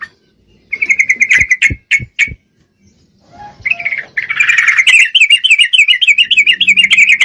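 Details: Breeding-condition female yellow-vented bulbul (trucuk) calling for a male: a few quick chirps, then a pause, then a long run of rapid, warbling, bubbling notes rising and falling continuously.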